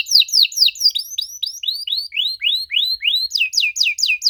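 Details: A canary's unusual song, played to draw answers from young canaries: a rapid run of high, looping whistled notes, each sweeping down then up, about two per second, shifting to sharper falling notes near the end.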